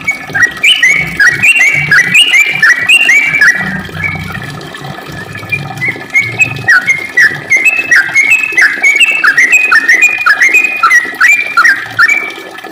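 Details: Sooty-headed bulbul in full, lively song of the long 'ropel panjang' style: dense runs of liquid whistled notes tumbling up and down, phrases crowding together almost without pause over a low rumble.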